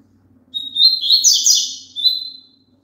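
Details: Song of a double-collared seedeater, meant for a caged bird to join in: a high whistled note leads into a dense, buzzy, chattering warble, followed by a short whistled ending note. A faint low hum runs underneath.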